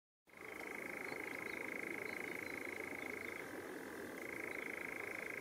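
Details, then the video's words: European nightjar churring at night in the Drents-Friese Wold, recorded on a night-sounds excursion: a long, unbroken mechanical trill that briefly drops lower before returning, over faint hiss. "Zingende nachtzwaluw"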